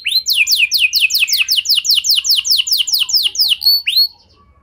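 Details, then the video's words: Canary song meant to make other canaries join in, made of a steady series of bright, quickly sweeping whistled notes repeated several times a second, ending in a short upward whistle and silence. "Pancingan Suara Burung Kenari Lagu Unik! Buat Kenari Mana Saja Pasti Ikut Bunyi"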